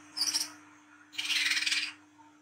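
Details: Olive-backed sunbird at night, a lure recording: a short high whistled twitter, then a longer dense, buzzy rattle of fast pulses.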